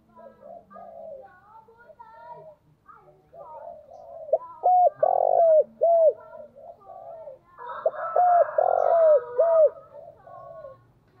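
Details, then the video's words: Spotted dove decoy calling over a busy background of softer chirps and murmuring: two clear runs of loud, low, rounded coos, each three or four notes that dip at the end, spaced several seconds apart. "Chim cu gáy gọi // tiếng chim cu gáy mồi chuẩn cực hay vang một vùng"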